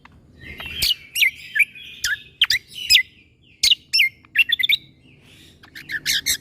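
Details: Cucak kombo leafbird song, 'tembakan' character, meant for tutoring young white-rumped shamas: loud, abrupt whistled notes that drop steeply, delivered in irregular bursts with short rapid doublets and triplets, over a faint background hiss.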